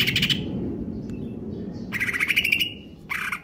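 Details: Caged Greater green leafbird in stable condition giving harsh buzzy rattling bursts, three separate stretches with a quiet gap between, low background noise beneath.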